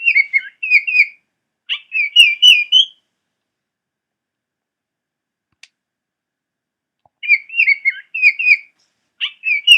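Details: Baltimore Oriole by the Nashua River, Nashua, New Hampshire, July 2012: rich, flute-like whistled phrases of several slurred notes, given in two bursts separated by a pause of about four seconds.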